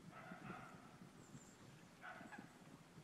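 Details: Falcated duck at a pond in December 2015 giving two short, nasal, harsh calls about one and a half seconds apart, over a low background rumble.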